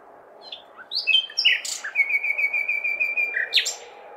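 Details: Male song of a common nightingale calling for partners on a May night in a big city: brief notes, then one long sustained pure whistle lasting nearly two seconds, ending in a sharp flourish, over low urban noise.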